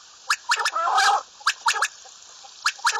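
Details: A common quail calls with short, dry, clipped notes in quick triplets about every second, with a harsh gargling burst between the first two groups.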